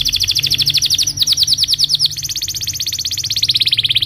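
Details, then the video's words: Morning song of a Belgian canary played to teach young birds: continuous fast rolling trill of high, evenly pulsed notes, shifting tempo slightly midway, steady throughout with faint low background hum. "Kenari gacor Cuit cuit NGEROL di pagi hari, Ampuh untuk Pancingan kenari paud belajar Bunyi"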